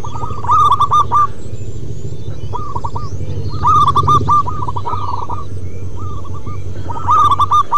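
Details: Local wild zebra doves in long 'manggung' singing. A near bird gives loud stuttering coo phrases about every three seconds while quieter doves fill the gaps, all over a low hum.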